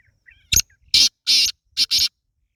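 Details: Black francolin, the kala teetar, calling close by: a short click, then four loud rasping notes in a broken rhythm, two longer and two clipped, against a silent background.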